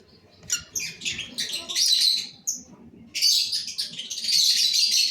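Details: Cobalt masked lovebirds twittering in scratchy, high-pitched bursts that build into a continuous harsh chatter in the second half.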